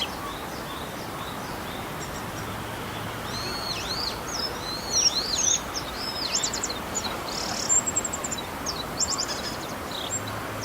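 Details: Male Bull-headed shrike copying other species' calls on 28 March 2015; faint, scattered high arched whistles and chirps, growing busier in the second half with short rattles and squeaks.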